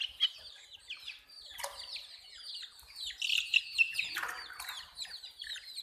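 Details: Baby chicks of a hen chirping: a steady stream of high, thin, down-slurred peeps from several birds, louder in a burst toward the middle.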